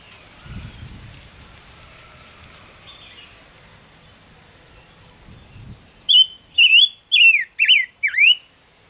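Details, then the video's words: Chim ngũ sắc (Gouldian finch) singing, used to draw birds to a trap. Quiet faint rustling at first, then five loud clear whistled notes that swoop downward in a fast, even series. "Tiếng ngũ sắc hót chuẩn 2022 dùng bẫy ngũ sắc hiệu quả"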